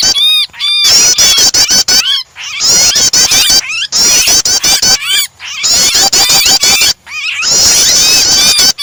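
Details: Starter recording pairing prinia calls with a distressed bird to prompt other birds to sing: rapid rattling clicks run beneath shrill, bending squeals, in several loud bursts separated by brief silences.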